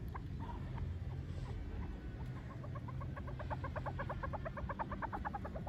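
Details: A chukar partridge at a pair's first meeting, in Pakistan, gives a quickening run of clucking chuck notes building into a rhythmic, pulsing series, over a steady low rumble.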